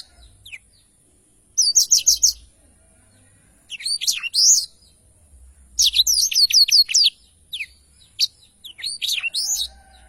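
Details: Blackthroat in full, energetic song, a long rolling style called ngerol panjang and recorded as tutor audio for songbirds: repeated phrases of fast, high trilled notes and swooping chirps, about five bursts with brief silences between them.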